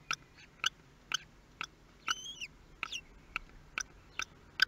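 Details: First feeding of common kestrel chicks, Théding, 23 May 2022: crisp clicking repeated about every half second, with one clear rising-then-falling high whistle near the middle and brief faint squeaks.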